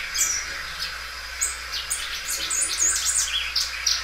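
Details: Belgian canary, a loud songster stretching its song repeatedly, here producing scattered high chirps and short whistled notes in an irregular, lively sequence.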